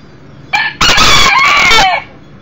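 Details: One-year-old Millefleur d'Uccle rooster, the smaller beta male, visiting inside a house where a broody hen, chicks and a second hen are kept, gives a short opening note followed by a loud, drawn-out, strained crow with a sliding ending.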